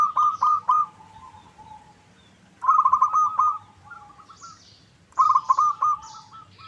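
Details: Local zebra dove calling as a lure to provoke an answer. Three phrases, each a quick cluster of bubbling coos ending in a fainter trailing trill, arrive about every two and a half seconds. Light high twittering from other birds is in the background.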